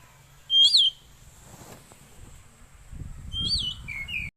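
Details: Oriental magpie-robin song, used for luring wild birds or training caged birds: two short, bright whistled phrases about three seconds apart, the second ending in a lower slurred note, over a low rumbling background.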